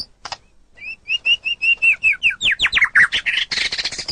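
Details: Murai batu, the white-rumped shama, kept as a training model for songbirds: a steady series of clear whistled notes about four per second, then speeding into sweeping slurs and a harsh, buzzy chattering finish.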